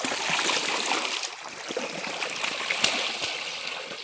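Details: Steady rushing and trickling water on the Volga, with light splashing and no animal calls heard.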